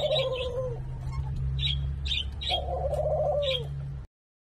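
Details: A Senegal dove × ringneck dove hybrid in Thailand, possibly F2 generation, gives two low, rolling courtship coos about two seconds apart, each sliding slightly downward, with sharp high chirps from small birds and a steady low hum behind.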